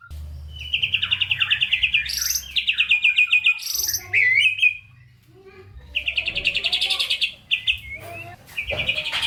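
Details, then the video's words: White-rumped shama singing a varied, packed song used as a stimulus for lazy shamas: fast buzzy trills and rattling chatter in several bursts, broken by short whistles and sharp high notes. "Murai Batu GACOR Full ISIAN‼️ COCOK untuk Pancingan Murai Malas Bunyi dan Kurang Emosi"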